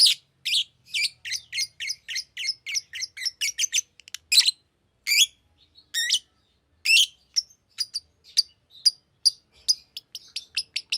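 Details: A green lovebird chirps in a rapid series of high squeaky notes, some harsh and rasping, broken by short pauses, ending with quick thin tweets.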